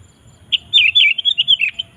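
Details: Sooty-headed bulbul singing loudly to call wild birds: one short note, then a lively run of rolling, warbling notes for over a second, ending in a dipping slurred note.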